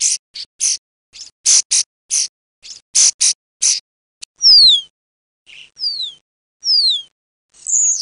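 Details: Common starling calls from a mix used to lure the birds for hunting: bursts of dry, buzzy clicks and rattles in quick irregular groups, then clean whistles sliding steeply downward, each about half a second long.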